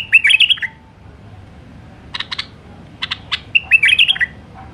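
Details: A wild white-eared bulbul gives bright, bubbly warbled phrases that open and close the passage, with clipped, sharp chirps between them. No other sounds.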